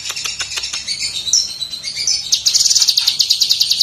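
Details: Master song of a lesser green leafbird (cucak kinoi) for training songbirds: high twittering chatter with sharp clicks, then a fast buzzing trill repeated about eight times a second.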